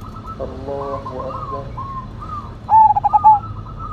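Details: Loud-voiced Cemani Majapahit zebra dove: soft layered cooing from several doves, then a strong phrase of rapid, evenly pulsed coos near the end.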